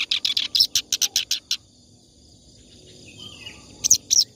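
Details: Clamorous reed warbler in continuous song, suited to tutoring other birds: a quick burst of scratchy, chirping notes, a pause of about two seconds with faint soft notes, then the chatter starts again.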